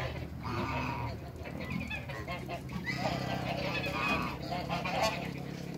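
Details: African geese, a large pair in a backyard among other waterbirds, give rough, overlapping honks over a steady low hum, with louder bursts near the middle and end.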